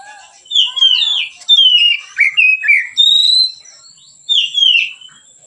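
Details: White-rumped shama in relaxed song as a training lure for other birds: series of sweet falling whistles and short slurred notes in bursts, a pause, then two more descending whistles; thin high background tone.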